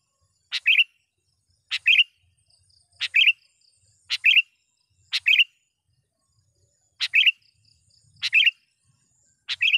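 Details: Sooty-headed bulbul in full voice calling to draw wild birds: a crisp click then a short liquid chirping phrase, repeated eight times at irregular gaps of about one to two seconds, with faint background hum.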